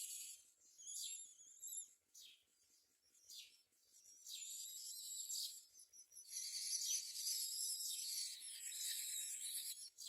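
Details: Mynas feeding their babies, with adults bringing food such as crickets. Harsh, hissing high-pitched calls come in rapid, repeated bursts, swelling louder toward the end.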